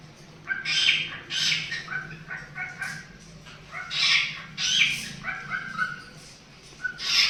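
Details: Two cockatiels playing together give bright, squawky warbling phrases broken by short pauses.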